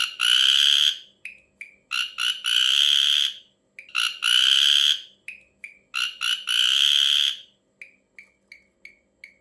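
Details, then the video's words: Strange calls of an ashy drongo: long, loud, harsh nasal rasps alternating with short clipped downslurred chirps, the rasps repeated roughly every two seconds, then a run of thin chirps. "suara aneh burung srigunting abu abu"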